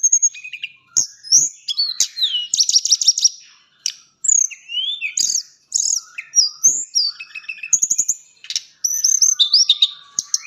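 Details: Long burst of chattering song from a tame, persistently singing white-flanked sunbird, mixing high piercing whistles, buzzy trilled runs and sharp chips with brief pauses between phrases.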